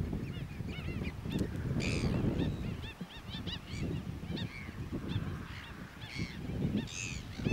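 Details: New Zealand black-billed gulls landing and taking off. Many overlapping calls sound as clipped, nasal yelps, with occasional louder harsh screeches, over gusty low background noise.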